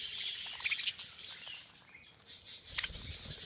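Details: Many budgerigars chatter during a feeding frenzy. A high, busy wash of chirps is topped by a few sharp, louder tweets near the start, then thins briefly before resuming.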